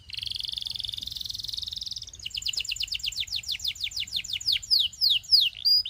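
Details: Belgian canary song for teaching young canaries, a steady rolling high trill, then a run of quick descending chirps growing louder and slower into strong swooping whistles.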